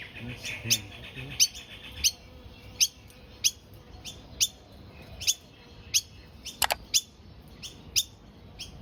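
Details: Premature Noisy Miner (Manorina melanocephala) fledgling, day three out of the nest in a backyard tree, still fed by its parents, gives short, sharp, high chirps about every two-thirds of a second; a person talks briefly at the start.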